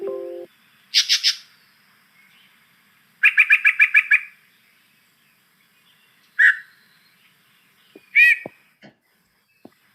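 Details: Yellow-breasted Chat giving odd, disjointed phrases with long pauses: a harsh burst, a rapid run of clipped notes, a slurred whistle and a laugh-like chuckle, ending in a meow. A brief low tone opens.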